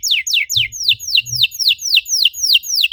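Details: Canary song used as a lure to stimulate other canaries to sing: a steady run of loud, sharply descending whistled sweeps, about four per second, with faint low thumps in the background.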